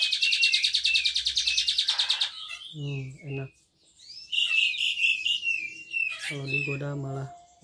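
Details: Asian pied starling with a Cililin-style fill-in, mimicking canary and other birds, singing on its own without being provoked: a fast buzzy high trill, then varied whistled phrases, with a man speaking between bursts.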